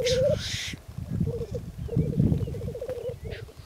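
Black grouse at a lek: a sharp hissing sneeze, then low, rapid, bubbling cooing phrases rolling on. Low rumbling background noise throughout.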